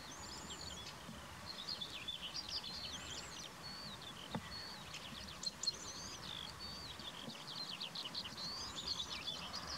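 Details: Corn bunting song at a seaside breeding site at Valleberga, Sweden, on 23 June 2020: a dry, jingling run of quick high notes, with other birds' chirps and whistles steady over a soft outdoor hiss.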